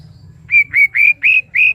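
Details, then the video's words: Five clear, even whistled notes at a steady pitch, evenly spaced, with a low hum underneath; credited to a white-rumped shama recorded with water sound. "Suara KICAU MURAI BATU dengan Suara Air"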